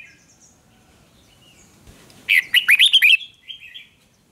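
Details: Red-whiskered bulbul singing in a duel during voice training: one quick, loud phrase of five or six bright, bubbling whistled notes rising and falling, followed by a softer trailing note, after quiet background chirps.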